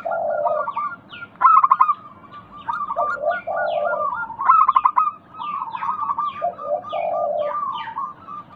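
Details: Local zebra dove singing to stimulate others to call; phrases mix long, low purring coos with rapid rattling series of short higher notes, several phrases in succession.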